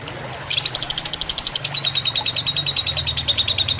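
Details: Lovebird fighter song, tutor recording with trickling water: silence, then a sudden shrill phrase whose notes slide steadily lower while repeating rapidly, over a low droning hum.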